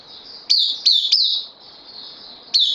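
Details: Bulbul in a cage, a new arrival on loan, 12 September 2020, gives three fast clipped downslurred notes, a pause, then one more, against a persistent high-pitched background tone.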